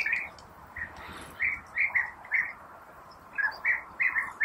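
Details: European bee-eaters at the nest burrows while feeding their young give short, rolling, liquid 'prrup' calls in quick runs, several in a row, then a pause and another burst, over soft background hiss.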